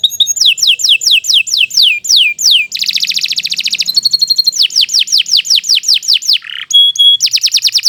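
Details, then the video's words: A canary sings at length and loudly, alternating series of downslurred whistles with a buzzy rattling trill, brief high chips and a sweeping tone. "Kicau Burung Kenari II GACOR PANJANG"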